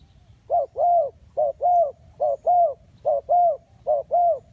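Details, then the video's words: Spotted dove calling, a sound used as a lure for trapping: five paired coos, each a short low note followed by a longer arched hoot, repeated roughly every second in a quiet setting with faint low rumble. "The Sound Of Spotted Dove"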